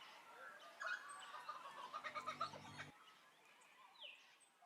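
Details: A laughing kookaburra gives its learned call, a quick run of rhythmic chuckling notes growing louder for about two seconds, over a low voice-like hum; it can produce two frequencies at once with multiple harmonics.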